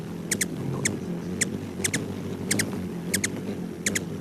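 Ruby-throated Hummingbird giving sharp, high doubled chips about every half-second over a low, steady wing hum.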